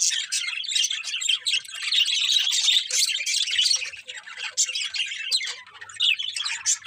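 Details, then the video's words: Loud, unbroken morning chirping from many birds, a bright high-pitched wall of tweets and trills that eases slightly toward the close. "Birds Chirping Sounds In The Morning"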